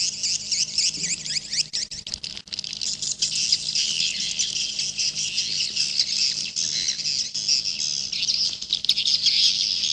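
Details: Edible-nest swiftlets in a jaguar-style recording, giving a steady wall of high, shrill overlapping twitters and buzzy chirps that runs without a break through the whole stretch.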